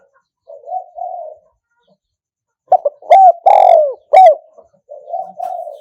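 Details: Spotted dove used as a lure, cooing in the one-kuk 'kham khu kham, khu kom' pattern (2022). Soft murmured coos lead into sharp stutters, a drawn-out descending coo and a short closing note, followed by quiet trailing coos.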